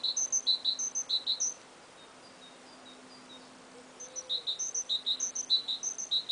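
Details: A pair of small birds singing in early spring, heard at moderate distance: crisp, high two-note phrases repeated rapidly and evenly, then a short quiet gap before the same bright pattern resumes.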